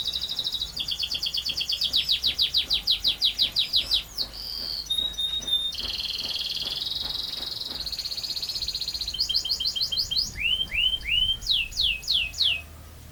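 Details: ['Canary singing a long rolling song, with rapid repeated trill notes pouring out for several seconds, then sustained buzzy rolls, a few clear whistled tones and descending swooping notes in quick series toward the end.']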